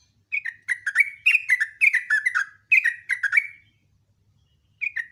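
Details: Sooty-headed bulbul in an energetic morning rapid song: a steady stream of bubbly descending whistled phrases, roughly two per second, then quiet, then one more phrase starts.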